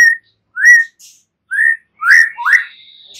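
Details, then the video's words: White-rumped shama calling with short, clear whistled notes that swoop upward, about one every half second, the last two louder and closer together, followed by a thin steady tone. "Murai batu BISU diJAMIN NYAUT GACOR dan FIGHTER"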